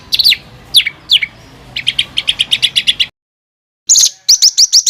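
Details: Songbird bursts of coarse, rapid phrases used as tutor song for contest birds: sharp downslurred whistles, a string of clipped repeated notes, a silent pause, then fast high notes.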